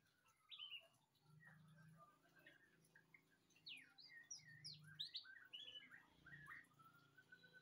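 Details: White-rumped shama singing a varied run of clear whistled notes and sharp slurred phrases, mostly high and quick, growing busier after the midpoint, over a steady low hum.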